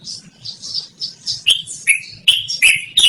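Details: Yellow-vented bulbul singing a long rolling song, used for luring or tutoring: soft high twittering at first, then loud, abrupt chattering notes about every half second.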